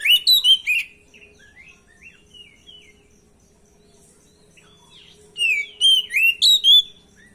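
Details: Stressed, untrained oriental magpie-robin singing as a lure to draw a response. Quick loud chirps open the recording and end abruptly. Softer scattered notes follow, then a renewed series of bright, rising and falling whistled phrases. A faint steady hum sits underneath.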